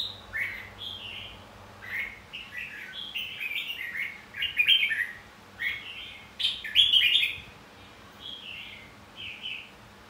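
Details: Red-whiskered bulbul fighting song to provoke singing in caged birds; a steady series of short, sweet warbled phrases, several with bright buzzy peaks, over low faint hum.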